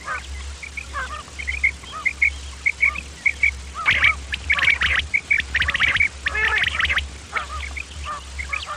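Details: Male and female common quail calls used as a hunting lure: clipped high notes in pairs and short series, then a busier burst of overlapping chattering birds, over a constant low hum.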